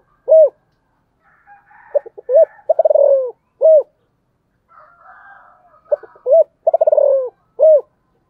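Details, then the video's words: Spotted dove cooing in a steady pattern: a lone clear coo, then a phrase of staccato notes and a quick descending purr closed by another coo. The sequence repeats, with faint higher chatter in the background. "cu gáy"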